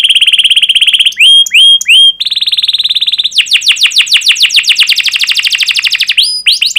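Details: Canary song used to trigger other canaries to sing: a rapid rolled trill, pure held whistles, another buzzy trill, then a long run of sharp downward-sweeping 'cuit' notes and rising whistles.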